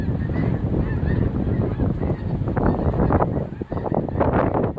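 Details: Geese passing in their thousands over northeast Nebraska during March migration, 2017; a continuous din of honking from many birds at once, harsh stacked notes crowding together over low wind noise.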